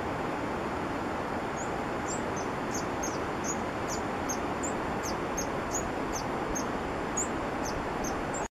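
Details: Green-and-white Hummingbird in Peru giving a rapid run of tiny, high-pitched sharp chips, several per second, nearly buried in loud continuous roaring background noise.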